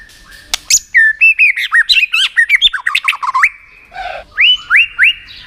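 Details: White-rumped shama song for stimulating rival shamas in song contests: a dense rapid stream of varied slurred whistles, then three spaced, rising whistled notes.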